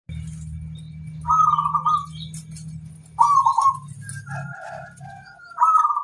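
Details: Local zebra dove giving kerot koar song intended to stimulate other doves to breed: three short, rolling trilled coos over a loud low droning hum, with faint whistles between.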